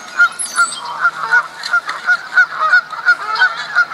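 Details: Canada geese in spring mating season, fighting over females, at Duke Farms, New Jersey, April 2015: loud repeated nasal honks, about three per second, overlapping from several birds.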